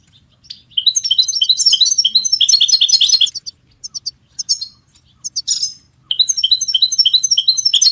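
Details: European goldfinch song played to train cage songbirds: fast tinkling, high-pitched twittering in dense runs of rapid repeated notes, broken by a short pause and scattered chips before another bright trill resumes.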